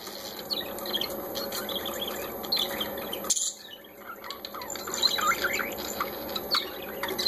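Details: High, twittering chirps come from parakeets having a good time. A sudden pause a third of the way through gives way to renewed rapid squeaks and scratchy notes over a continuous hum.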